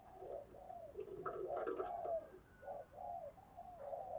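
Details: Spotted dove cooing used as a lure to make caged doves coo: soft, low, rounded coos repeated in quick sequence, a louder cluster in the middle, over a quiet hiss.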